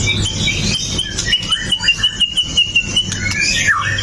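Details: Provoking song of a pastol white-rumped shama, a sharp-voiced fighter, recorded on a Xiaomi phone. A steady string of quick identical chips, about one every quarter second, then a loud swooping whistle at the end.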